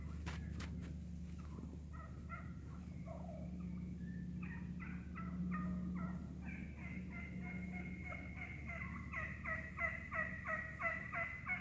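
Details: Wild turkeys, a vocal flock feeding through the woods, give rapid sharp clucks that run together into fast cutting bursts, getting denser and louder toward the end, with a low steady hum underneath.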